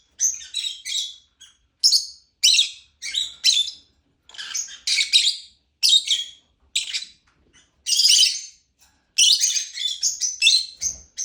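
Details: Lovebird chirping in short bursts of high, harsh, squeaky notes, clustered in rapid runs with brief pauses between them and no other clear sounds.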